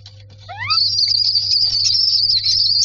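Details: Myna chicks in a nest box asking for food: a few rising upward-swept squeals lead into a continuous shrill, wavering high trill, over a steady low electrical hum.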